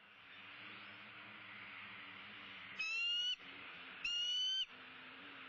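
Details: Bald eagle at a Southwest Florida nest during a sunrise feeding, dated 2-6-16. Two loud, high whistled notes about half a second long, each a steady, slightly rising tone with bright overtones, over a constant low hum.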